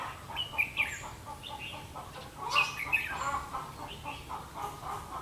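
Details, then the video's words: Red-whiskered bulbul decoy of the 'mí lửa' type singing while being used to trap wild birds, 31 October 2016; loud chattering warbled phrases near the start and a stronger burst around two and a half to three seconds, with softer notes after. "Bẫy chào mào mí lửa"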